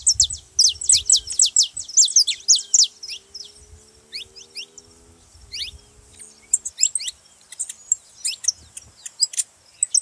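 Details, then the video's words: Saffron finch song meant to stimulate caged canaries to sing: a dense opening burst of sharp downward-sliding chips, then looser spaced notes, a quiet stretch with a faint low hum, and renewed chirping. "canário da terra pra foguea seu canário frio"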